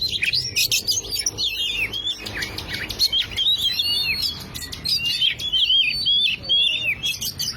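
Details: Oriental magpie-robin song used as a lure to prompt a silent bird to sing: a dense, continuous run of loud whistled and slurred phrases with quick rising and falling notes, scratchy bursts between them, and a faint low rumble behind.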